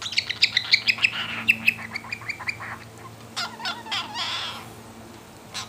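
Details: Hungry young cockatiel being fed, giving rapid high squeaky begging chirps that weaken after two seconds, then harsh, broadband rasping bursts.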